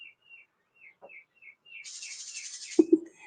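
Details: A pair of wrens nesting in a summer-kitchen wall on a farm, with three babies, give thin, high chirps about twice a second on a summer morning, then rustling and a couple of low knocks; turkeys may be heard.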